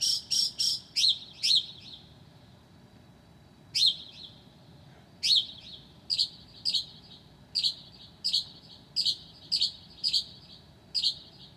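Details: Night song of a Northern mockingbird at 2 a.m., 9 July 2008, imitating other species. A quick cluster of sharp, high chirps is followed by a pause, then a long run of clipped notes repeated about every two-thirds of a second.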